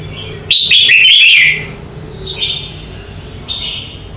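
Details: Red-whiskered bulbul morning song, contest-style singing used as a lure to train other birds. A loud, rich whistled phrase of quick warbling notes lasts about a second, followed by two softer short whistled phrases against a low background hum.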